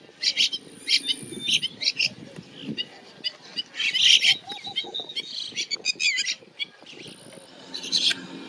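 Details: Bank mynas in a neighbourhood in India chatter in a busy mix of harsh chirps, squeaks and whistles, bursts every second or so, with other small birds chirping in the background.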